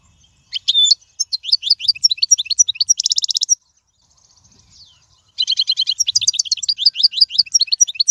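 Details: European goldfinch song for teaching young birds: long runs of rapid, evenly spaced twittering chirps, a harsh buzzy rattle midway, a brief pause, then fast tinkling phrases again.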